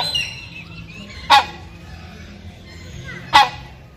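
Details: Male rhinoceros hornbill (Buceros) giving loud calls to a female during breeding season: two loud, harsh honking barks about two seconds apart, each short and explosive, over a quiet background.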